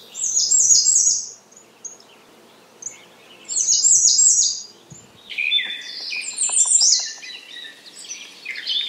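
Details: Repeated high, buzzy phrases of an American redstart, two bursts a few seconds apart, then a denser tangle of high sibilant notes from several singers overlapping.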